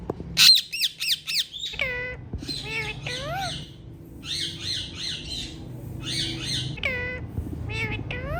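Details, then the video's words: Hand-tame ringneck parrots squawking: a fast burst of loud, shrill arched notes, then scattered clusters of harsh chattering calls and drawn, falling squawks over a quiet humming room. "Most Colorful Parrots Natural Sounds"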